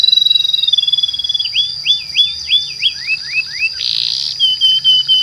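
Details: Atlantic canary giving a long rolling song meant to lure hard-to-start canaries into singing: a high steady whistled trill, then a series of sharp rising upslurred notes about four per second, a short buzzy burst, and a quick trill.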